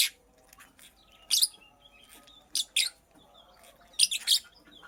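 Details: Purple lovebird hen making a nest, with a few shrill, noisy chirps arriving in pairs and triplets between stretches of near silence.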